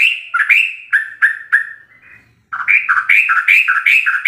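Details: Sooty-headed bulbul in continuous 'ropel' song, a master recording for training captive bulbuls: liquid whistled phrases, a brief faint pause, then a dense run of quick rising and falling notes.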